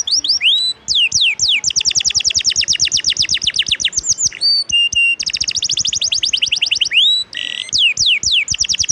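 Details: Canary song used as tutor audio for training other songbirds: loud, rapid trills of repeated downward-sweeping notes, broken by short whistled and buzzy phrases, nearly continuous throughout.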